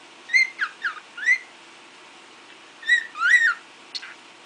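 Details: Cockatiel (Nymphicus hollandicus), whistled calls.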